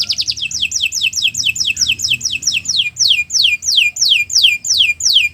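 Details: Canary training song made of repeated downward-slurred whistled notes, roughly three per second, clear and loud throughout.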